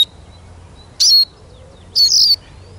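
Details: Eurasian siskin giving two high, squeezed, buzzy calls a second apart over faint background hum.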